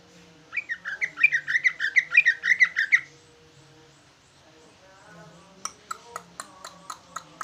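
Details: Singing large leafbird imitating the trucukan manner: a fast rolling trill of bubbling notes for about two and a half seconds, a pause, then a regular series of sharp clicking chips.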